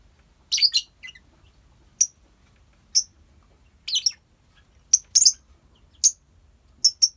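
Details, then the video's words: Lovebirds in a colony, kept for bird therapy: sharp high chirps repeated about once a second, some doubled, over a quiet background. "Love bird koloni bagus buat terapi love bird"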